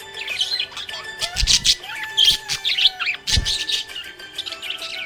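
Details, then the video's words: Happy budgerigar chirping: busy warbling chirps and short squeaky notes, with steady tones and a soft background melody underneath. "Happy budgie chirping sound"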